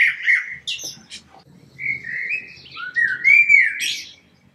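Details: Common blackbird song: rich fluting, whistled phrases that slide and waver, each ending in thin, higher twittering notes, sung clearly with little background.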